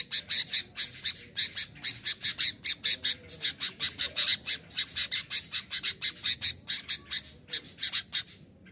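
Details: Sooty-headed bulbul singing energetically to challenge rivals and lure wild birds: a steady series of harsh, broad-band chattering notes repeated about four times a second, with little background noise.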